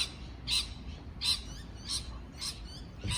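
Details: Parrot uttering single raspy chirps about every two-thirds of a second, five in all, fairly even in loudness, against a low steady hum.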